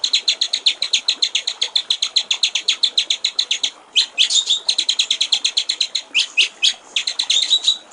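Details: Master recording of murai batu (white-rumped shama) for training songbirds: a fast, regular rattle of high ticking notes, then a varied run of sharp whistles and chips, then more rapid rattling.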